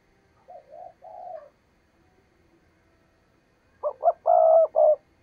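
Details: Lure spotted dove cooing to attract wild doves for trapping: soft two-part coos first, then after a pause a loud, emphatic phrase of short notes ending in a drawn-out coo.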